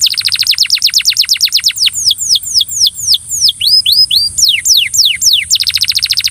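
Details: Belgian canary coaxing a companion canary to sing: rapid trills of high rising-falling notes, then slower falling whistled slurs and short upswept notes, ending in another fast dense trill.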